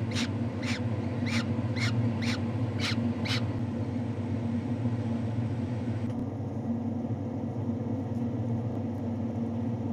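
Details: Captive gyrfalcon hybrid in a falcon breeding setting uttering six sharp, harsh calls in quick succession, then falling silent while a constant low rumble continues.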